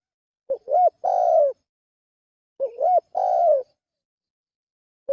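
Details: Two complete spotted dove phrases about two and a half seconds apart, each a wavering, bending lead-in followed by a long, rich, gently falling coo. A third phrase begins at the end.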